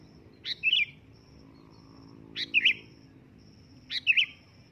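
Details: Sooty-headed bulbul calling loudly: three clear, bubbly whistled phrases, each a short sharp note followed by a warbling flourish, spaced roughly every one and a half seconds. Regular insect ticks sound between them.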